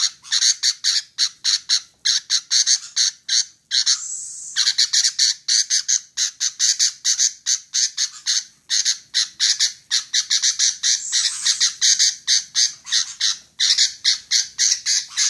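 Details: Continuous harsh chattering from a female sooty-headed bulbul, long fast strings of rasping buzzy notes with a brief drawn-out hiss near the fourth second, then the rapid series resumes.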